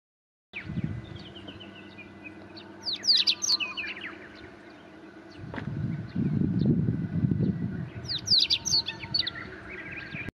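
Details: Siberian rubythroat singing at close range around 5 a.m. in late May at Lake Kushu, Rebun Island: two bursts of rapid, varied, scratchy high warbling several seconds apart, over low rumbling wind or water noise.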